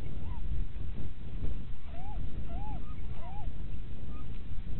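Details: A little owl at Winterswijk, Netherlands, in January 2017 at 17:30, around mating, gives several short, mewing, arched notes, rising then falling, about one a second, over a steady low rumble of wind or distant traffic.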